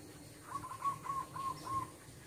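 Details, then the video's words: Zebra dove, wild, in the yard of a house: a rhythmic string of six gentle, slightly rising-then-falling coo notes about three per second, clear above low steady ambient noise. "Kicauan Merdu Burung Perkutut Liar"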